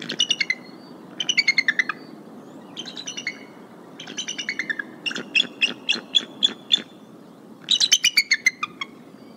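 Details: Female bald eagle at the Decorah nest site, 29 January 2022, on the Y-branch voicing concern at a nearby sub-adult eagle and a skier. Loud bursts of rapid, piping chitters, several quick notes per burst, repeated in a run of six series.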